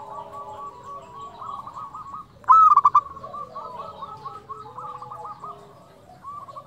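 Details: Local zebra dove singing in fluting style. One loud phrase stands out: a rising hooked note followed by fast stuttering coos. Many softer doves keep up a steady rolling cooing chorus before and after.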